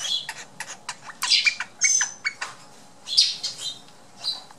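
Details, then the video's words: Baby flicker chittering: rapid clusters of scratchy, high squeaky notes, some with thin whistled tones, coming in uneven bursts of several quick calls separated by short pauses. "More of the Baby Flicker Chittering!"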